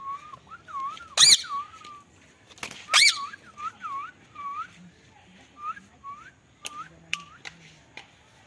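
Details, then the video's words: Indian ringneck parrot in talking training, giving a run of short whistled, arching notes, some rising and some falling, between a few loud harsh screeches, with faint speech in the background. "Ringneck parrots talking"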